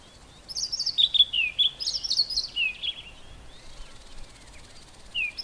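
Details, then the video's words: White-browed scrub robin singing from inside a bush, its highly repetitive song delivered as two quick runs of high, slurred, downward-sweeping whistles, each phrase about a second long, then a brief pause and one more thin note at the end. "White-browed Scrub Robin singing"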